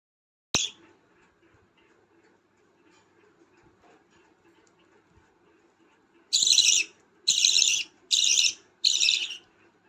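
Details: A 15-day-old hand-fed budgerigar chick gives four harsh, raspy begging calls in quick succession, each about half a second long.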